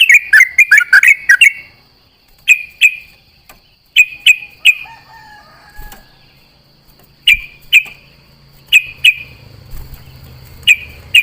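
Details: Sooty-headed bulbul at dawn during dew-bathing, answering companions: an opening flurry of bright chirps, then widely spaced pairs and triplets of short clear notes separated by quiet gaps, with faint low rumble.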